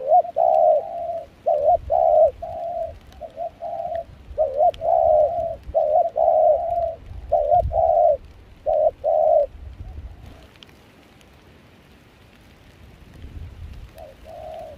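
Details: Decoy spotted dove in Kon Tum, Vietnam, singing during rainy, chilly, windy weather; voice blended with foreign style. A long run of rhythmic mellow coos for about ten seconds, then quiet before one more coo.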